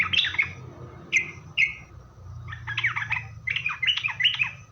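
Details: Sooty-headed bulbul song used as a lure to draw answers from other bulbuls: bright chirpy phrases, a few short separate notes, then a busy run of quick falling and rising chirps.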